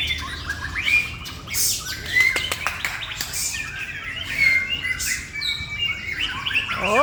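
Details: Male white-rumped shama from Indonesia singing a rich, fast medley of whistled notes, sweeping slides and chattering trills, with sharp clicks and a man's encouraging voice nearby.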